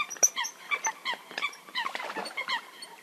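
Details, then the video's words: Eurasian coot (Fulica atra) calls: rapid series of short, sharp, harmonic chirping notes, several per second, overlapping as if from more than one bird, with no other clear sounds. "Eurasian Coot (Fulica atra) Real Hunting Call Sound"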